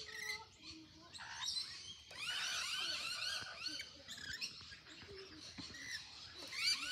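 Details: Several fluffy rainbow lorikeets, some handled by people, give dense harsh screeching chatter with rapid overlapping rasping notes, louder bursts around the middle and a sharp screech at the end.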